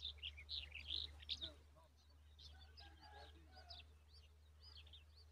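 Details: Common babbler chicks in their nest: a burst of thin, high, rising chirps tumbling over one another for the first second and a half, then softer scattered peeps continuing above a steady low hum.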